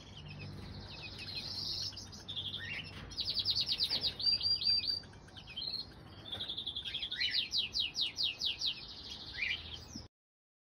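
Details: Common crossbill mother feeding her two chicks, hatched 21 and 23 April 2020; high insistent chirping comes in rapid runs and short trills, pausing between bursts before falling silent.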